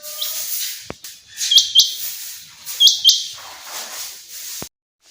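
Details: Common quail in a summer meadow calling: two short bursts of sharp, high, clipped notes, each a quick double or triple pulse, set against a steady hissing background with a few faint clicks.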